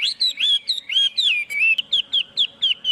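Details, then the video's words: Hwamei song recorded without noise: loud looping whistles, then crisp downslurred notes repeated evenly about five times a second. "Tiếng chim hoạ mi hót không tạp âm"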